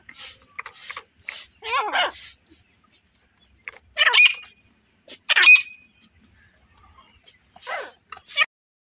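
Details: Female grey francolin giving harsh, squeaky notes: short descending chirps and scratchy bursts that come in irregular groups, some of them sharp and metallic, with brief silences between.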